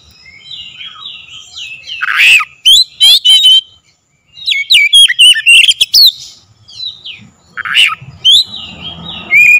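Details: Oriental magpie-robin lure song meant to make birds sing: brief whistled phrases broken by harsh, rasping squawks, a short silent gap, then clusters of sharp chirps and looping whistles, with faint rustling near the end.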